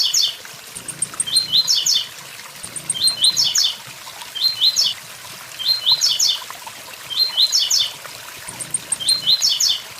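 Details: Blue-black grassquit, "tui tui zel zel" song with waterfall sound: about seven crisp, buzzy, high-pitched phrases of rising notes roughly every one and a half seconds, some led by small ticking notes, over rushing water.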